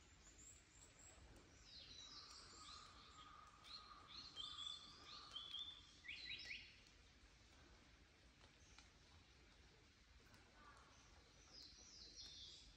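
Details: Japanese paradise flycatcher in mountain forest at Mount Rokko, Japan, 31 May 2022. Males give long calls and females short ones. A brief rapid series of whistled descending notes comes near six seconds, with other high chirps and faint hum around it.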